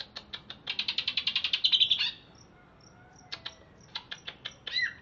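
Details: Freshly bathed caged greater green leafbird, wild-caught in Alas Purwo, Banyuwangi, now in Bekasi, delivers a fast buzzy trill of about fifteen pulses over two seconds, then scattered ticks and a brief slurred note.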